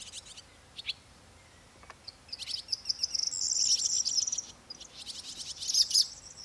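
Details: Corn bunting singing: scattered dry ticks speed up into a high, jangling, glittering trill that lasts about two seconds. A second short burst of the same jingle follows after a brief pause.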